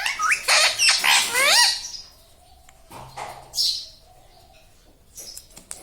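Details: Pet ringneck parrot trained to talk; a quick burst of squeaky rising syllables in the first two seconds, followed by quiet room noise and a soft faint call.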